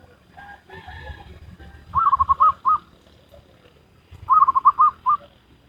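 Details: Zebra dove of local stock performing its Salendro-rhythm song: a fast series of bubbling coo pulses followed by a couple of spaced notes, given twice about two seconds apart over low background rumble.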